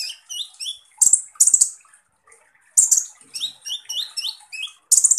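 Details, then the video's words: Kolibri ninja, or Van Hasselt's sunbird, giving rough shot-style song: rising slurred whistled chips in quick series, broken by loud grating rasps, with a short pause midway. "SUARA BURUNG Kolibri Ninja Full Tembakan Kasar"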